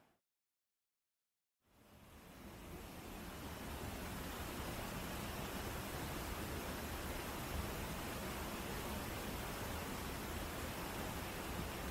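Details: After a brief silence, a steady broadband rush like flowing water fills the rest with no animal voice.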